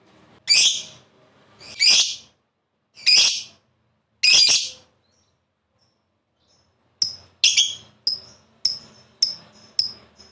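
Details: Lovebird calling in a recording meant to stimulate other lovebirds to sing: four loud, harsh, screechy bursts a second apart, a quiet gap, then a quicker series of short sharp chirps.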